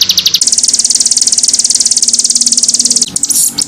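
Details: Canary master song used to train other birds: a few opening notes, then a fast, buzzy, very high trill held steadily for about two and a half seconds, ending in brief scratchy chatter, with a faint low engine hum.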